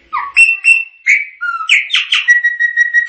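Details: Continuous Chopi blackbird song: varied whistled notes sliding up and down, some low and mellow, others bright, mixed with quick chirps and a held steady tone near the end.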